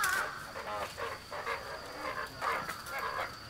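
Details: African spoonbills, a male fighting a rival who approached his female, give harsh, raspy grunting bursts in quick succession, roughly every half second, over a faint steady high whine.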